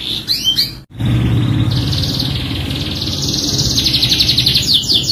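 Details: Singing canary, pancingan lure with full isian: a few quick high sweeps, an abrupt break, then a long buzzy trill that climbs slightly in pitch over a low steady hum.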